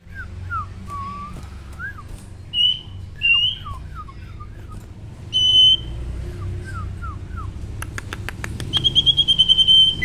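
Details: Male sirtu singing energetically to provoke rivals, used as a lure for other sirtu: a series of short descending whistled slurs, then sharp high trilled phrases, with a few sharp clicks near the end and low background hum.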